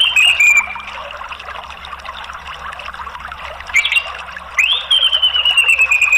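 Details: Orange-headed thrush answering in a lure track for a bird that stopped singing, with twittering and ringing phrases. Clear, high whistles fall in pitch; a long, drawn-out descending whistle comes near the end, over constant pouring-water noise.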